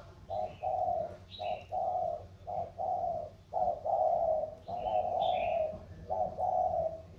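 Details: Cooing contest of 'thổ'-voiced spotted doves, lowland Sóc Trăng versus mountain Cam Ranh birds; deep, even coo notes in grouped phrases about once a second, with thin higher chirps from another bird overhead.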